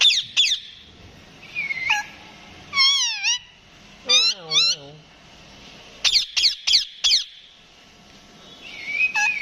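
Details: Rose-ringed parakeet talking, mixing sharp clicky squawks and quick chirps with wavering, harmonic, voice-like phrases that bend up and down. It makes several bursts of rapid notes with brief silences between them.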